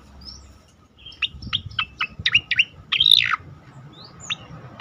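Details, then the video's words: Striated grassbird tembakan song for masteran, meant to train and provoke other birds into calling: a rapid string of crisp high chip notes, a rich warbled slur near the middle, then scattered thin upslurred whistles. "khass tembakan cicakoreng"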